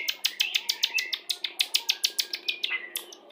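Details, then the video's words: White-rumped shama of the Pastol type, a lure song played during pairing to bring birds into breeding condition: a fast run of sharp, ticking notes, about three per second, over a thin whistled band, fading toward the end. "PANCINGAN MURAI BATU PASTOL CEPAT BIRAHI"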